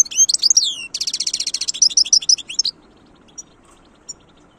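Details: European goldfinch singing: bright slurred whistles, then a fast buzzy trill of repeated notes and a few clear chirps, followed by near silence with faint distant calls.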